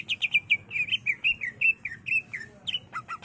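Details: Greater green leafbird (cucak ijo) in full, emotional song, used as a lure and tutor recording for other birds: a fast, varied run of sharp chirps and slurred whistles, about five notes a second, some rising and some falling.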